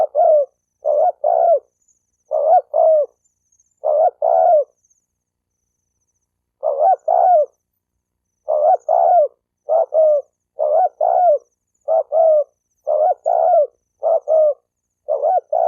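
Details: Spotted dove call used to stir up males and females to fight, a long series of low hollow paired coos with a drawn-out falling second note, delivered in bursts with a pause of about two seconds midway.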